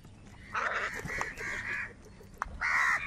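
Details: Crows squabbling over food, four rough, drawn-out caws run together, a short pause with a click, then one louder harsh caw.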